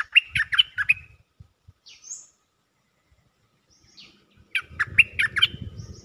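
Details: Cream-vented bulbul calling for a mate, with bursts of rapid, chattering notes at the start and the end, a few high slurred whistles in between, and low rumbling noise behind.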